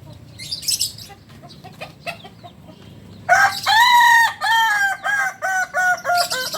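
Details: Kukuak Balenggek rooster, a chicken native to Solok, crowing: after scattered clucks and rustling, a loud harmonic crow starts abruptly and breaks into a chain of about eight short, stepped syllables.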